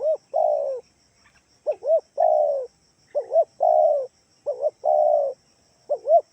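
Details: Spotted dove lure call from Kalimantan to draw answers from other doves: a repeated phrase of two short arched coos and one long falling coo, about every 1.3 seconds, low and mellow, background quiet.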